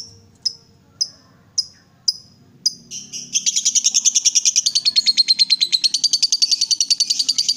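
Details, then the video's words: Lovebird, excited and provoked into calling, gives five sharp high chirps about half a second apart, then breaks into a fast, continuous, rattling high chatter that runs unbroken to the end. "Lovebird diam langsung Nyambar, Emosi Naik Gacor Ngetik Lanjut Ngekek"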